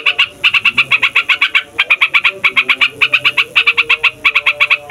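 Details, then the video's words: A fighter yellow-vented bulbul delivers long rolling 'ngeroll' song meant to provoke other songbirds: fast bursts of bright bubbly notes in runs of four to eight, separated by short pauses. "TRUCUKAN FIGHTER NGEROLL PANJANG BIKIN SEMUA JENIS BURUNG OCEHAN EMOSI"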